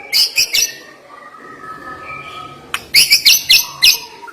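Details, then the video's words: Short clusters of very high, sharp chipping notes from a white-rumped shama, three quick notes at the start, then a quiet gap and a rapid run of five piercing notes. "Ngeri Isian Murai Batu Ini Nembak Tajam"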